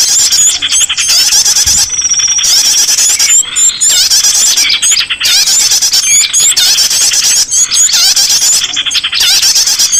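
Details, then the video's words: Small birds calling, played as a lure to draw escaped kept songbirds back; dense, high-pitched chirping and squeaky rising whistles from several overlapping callers, nearly continuous with brief gaps, rapid repeated notes throughout. "SUARA PIKATAN BURUNG KECIL"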